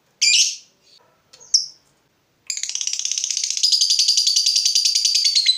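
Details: Fighter lovebird, provoked and heated, gives a few sharp high chirps, then after a short pause launches into a long, fast, buzzy "ngekek" trill that runs unbroken to the end.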